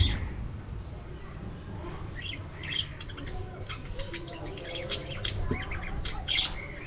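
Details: Budgerigars in an aviary keep up a loose, busy twitter of high, clipped chirps and squawks, thickening toward the end, over a soft low rumble.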